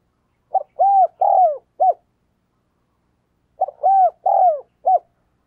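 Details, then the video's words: Decoy spotted dove cooing rapidly to lure wild doves: two phrases, each a short clipped note, a drawn-out arched coo, a longer falling coo and a brief final note, about three seconds apart. "Chim Cu Mồi Thúc Gáy Gọi Tốc Độ"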